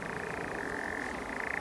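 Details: A male European nightjar churring at night in June on Wisley Common heathland, Surrey, close by in birch trees: a dry, rapidly pulsing trill that shifts slightly in pitch partway through, over a faint low rumble.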